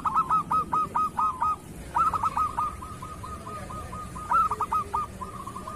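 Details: Local zebra dove singing kerot style, a recording meant for training other doves. Rapid hooted note series is followed by a long, level trill, then another short burst of notes. Low hum underneath.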